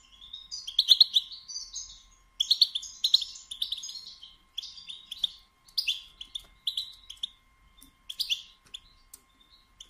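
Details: Female European goldfinch giving its batbata, a twittering call used to stimulate males to sing and mate: bursts of high, rapid chirps and trills, separated by short pauses, with a faint steady hum underneath.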